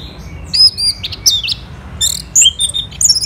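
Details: Orange-headed thrush singing in the morning, a varied run of clear, high whistles and quick chirping phrases, bright and rapid with brief pauses; used as a training recording to stimulate sluggish birds to sing.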